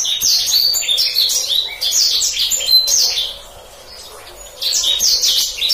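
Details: Black-throated canary master song for canaries to copy: bursts of rapid high chattering and sweeping notes, a quieter gap of about a second midway, then the fast twittering resumes; clean background.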